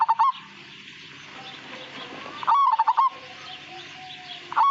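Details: Zebra dove of the Majapahit strain calling three times: short bursts of rapid, trilled cooing separated by a couple of seconds of soft background noise.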